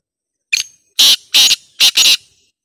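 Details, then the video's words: Black francolin calling, offered as a sound that makes every francolin answer: one short sharp note, then four loud, harsh, rasping bursts in two quick pairs, all within about two seconds, on a clean, silent background. "ہر تیتر کو بولنے والی آ واذ"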